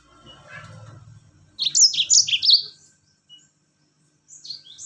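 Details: Yellow-fronted canary rolling song, played as a lure to get other birds singing: a short burst of bright, rapid whistled phrases after a low murmur, then a brief fragment near the end.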